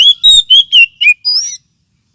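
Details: Lure call of an oriental magpie-robin, also used as therapy for birds lacking aggression: five quick, loud whistled notes that step slightly downward, followed by a longer, higher thin whistle with a rising lead-in.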